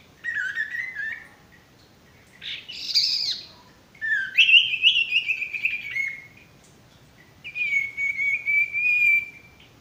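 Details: Male sirtu in full song, meant for training birds that are stressed or not singing: clear whistles mixed with buzzy chatter, then long level trilled phrases broken by short pauses.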